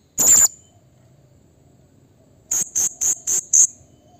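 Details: Blue-crowned hanging parrot calling to provoke rivals: a single harsh high shriek, a two-second pause, then five rapid shrill notes evenly spaced about a quarter second apart.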